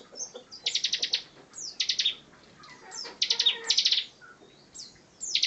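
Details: High-pitched 'ngebren' singing from a Bar-winged prinia, short bursts of four to six quick buzzy pulses alternating with sharp downward-slurred whistles.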